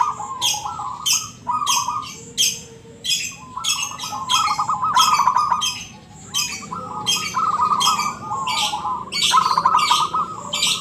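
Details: Local zebra dove in ngebrem song style, delivering a run of rolling, purring coos one after another, each joined by loud sharp high chirps or clicks, about a dozen bursts.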